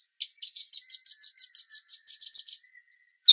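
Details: Captive songbird known locally as cucak cungkok, recorded as a master song for training songbirds: a rapid series of about fourteen sharp, very high chipping notes over two seconds, evenly spaced, then silence and a final note.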